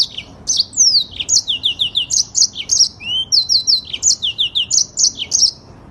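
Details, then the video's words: Song of a yellow-fronted canary in the long, fast-rolling 'ngerol' style used for bird training: continuous quick high chirps and slurred whistles, one lower upward-sweeping note midway, over a quiet background. "AUDIO MASTER BURUNG MOZAMBIK FULL NGEROL PANJANG DAN SPEED RAPAT"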